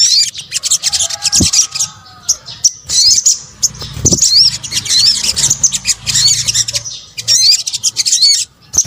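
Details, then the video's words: Sunbird lure sound from Indonesia, a mix of sogok ontong calls. Sharp, very high chips and buzzy twitters run almost nonstop, and a few curved whistled notes stand out every second or so near the middle. "PANCINGAN SOGON BUNYI AMPUH | kombinasi suara sogok ontong"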